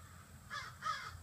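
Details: Two harsh caws, the second louder, from crows gathering in the trees at evening, part of a flock of 30 to 40 birds outside a house.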